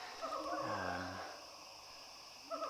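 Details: A pheasant vocalizes at early morning in Indonesian forest on a hilltop territory boundary, with a siamang singing behind: a low, rich, rolling call with higher warbling notes around it.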